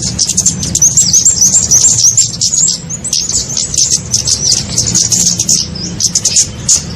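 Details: Kemade twittering played to attract small birds for trapping: bright, high chirps running in quick bursts that thin out toward the end, over a low, constant hum.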